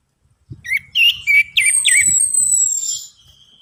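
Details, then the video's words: Orange-headed thrush song played to encourage a reluctant bird: a few twisting, wavy notes followed by long thin descending whistles, over soft low tapping sounds. "DENGAN PANCINGAN ANIS MERAH AMPUH INI, ATASI SUSAH BUNYI ANIS MERAH"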